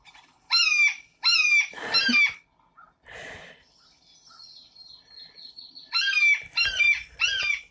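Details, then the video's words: A blue jay mimics a red-shouldered hawk with loud, harsh, down-slurred 'kee-ah' screams in two short bursts, separated by a thin, steady whistled note. It still sounds somewhat like a blue jay. "So remember this sound. This is a blue jay pretending to be a red-shouldered hawk."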